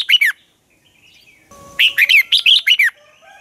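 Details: Red-whiskered bulbul singing in dueling style, a lure recording for training birds: a short warbled phrase, a pause, then six rapid, bright whistled notes rising and falling in quick succession.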